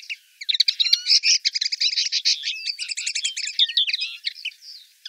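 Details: Common linnet in Wittlich, Germany, recorded 2018, delivering a dense, continuous twittering song of fast chirps, short trills and slurred whistles without pause, loud and clean.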